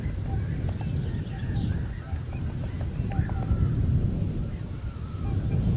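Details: Common cranes at Heinä-Suvanto reserve, Viitasaari, late April 2011, several birds overlapping in a clamour of trumpeting notes with short clicking sounds mixed in, against a heavy low background roar.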